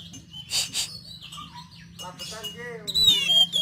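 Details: Oriental magpie-robin rough fill-in song played as kacer therapy: scattered whistles and chirps at varied pitches, some notes falling lower, ending in a clear high sliding whistle over a steady low hum.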